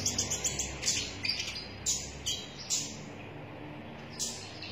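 A sunbird sings rapid, thin, very high chirps and twitters in quick bursts, with brief pauses between phrases over a faint low background hum.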